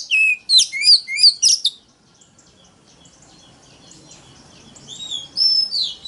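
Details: Oriental magpie-robin in a loud competitive lure song: an opening flurry of sharp whistles and quick slurs, a near-silent gap with low background noise, then more whistled phrases returning toward the end.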